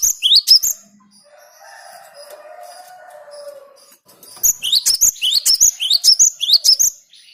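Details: Cinereous tit song used to lure birds: bursts of bright, rapidly repeated rising whistled sweeps, each ending in a sharp high note. A quieter gap with faint low drawn-out tones separates the two bursts.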